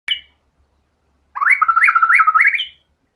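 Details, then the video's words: White-rumped shama, a singing bird, delivering a loud phrase of rapid repeated whistled notes that jump between a lower and a higher pitch, ending on a rising note, after a short opening chirp. "MURAI BATU GACOR‼️FULL BONGKAR SEMUA MATERI ISIAN"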